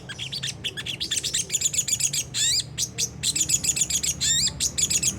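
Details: Sunda whistling thrush singing ngriwik kasar, a harsh twittering style used to coax caged birds to sing; loud, rapid, high chirps and swooping notes pour out almost without pause.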